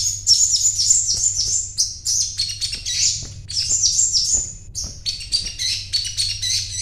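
A sogon sings a fast, continuous run of high, sharp chirps and trills, several notes a second, over a low steady hum.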